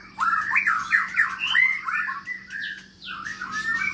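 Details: Long-tailed Medan white-rumped shama, recently obtained and singing in an exercise cage: fluty, warbling whistles running together in a continuous varied phrase, with a low electrical hum in the background.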